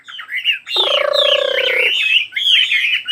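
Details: Bird song of quick twisting whistles and chirps, interrupted near the middle by a harsher, lower, drawn-out nasal squawk lasting about a second before the bright warbling resumes.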